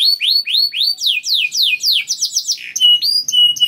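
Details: A young canary sings a fast series of rising, swooping whistles, then rapid descending trills and bright ringing notes, about four repeated phrase types in under four seconds.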